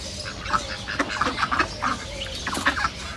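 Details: Ducks at a reserve utter a quick run of nasal quacks, roughly one every quarter second, with a short flat drawn-out note mixed into the chorus of other ducks.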